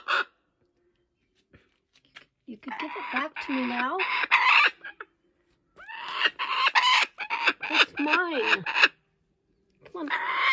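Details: A young laughing kookaburra at a wildlife sanctuary, having stolen a toy, laughs while keeping it: loud, harsh, rollicking chuckles in two long bursts of rapid rising and falling notes with a brief restart at the end, and a person speaks faintly nearby.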